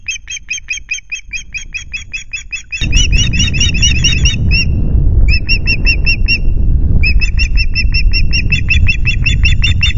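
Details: Loch Garten osprey at the nest with chicks, 5 July, nest camera: insistent strings of high whistled chirps, several per second, broken by short gaps, while heavy wind-like rumble rises sharply partway through.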